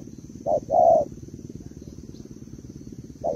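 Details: Female spotted dove of Malaysian stock calling to rouse a male: a quick short coo then a longer drawn-out coo, a pause, and another coo starting, with a low pulsing hum beneath.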